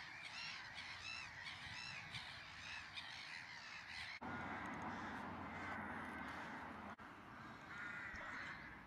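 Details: Several rooks (Corvus frugilegus) near Meppel, Netherlands, give harsh, grating caws in quick overlapping bursts for about four seconds. A steady roar of wind or traffic follows.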